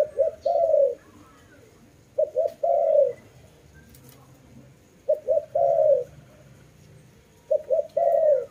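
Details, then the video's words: Repeated dove coo phrases, about every two and a half seconds, four in all: paired short hooting notes then a sustained falling coo, low and mellow, with faint background chirps. "Lovely dove/ lovey sounds"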